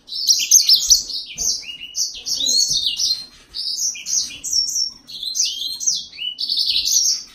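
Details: Yellow-fronted canary singing continuously, a fast warbled stream of high sweeping and trilled notes in short linked phrases, with soft low bumps in the background.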